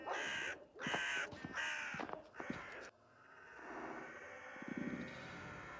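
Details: Crows calling while chasing a hawk that has caught a collared dove, very early morning at the end of March: four loud, harsh, hoarse caws in under three seconds, then a quieter stretch of softer background sound.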